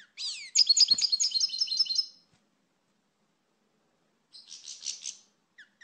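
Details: European goldfinch singing: a rapid, tinkling burst of high twittered notes with fast sliding trills lasting about two seconds, then a silent pause and a shorter, softer twittering phrase near the end; no other sounds.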